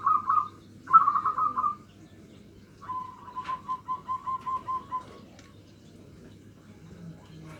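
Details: Nutut-style song of a local zebra dove, played to lure and provoke rivals: two short rolling bursts of whistled coos, a pause, then a longer, lower, evenly pulsed trill of about eight notes, with a brief rustle midway.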